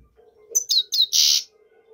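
A European goldfinch sings three bright, quick, down-slurred twittering notes, then a harsh buzzy wheeze, over a faint low hum.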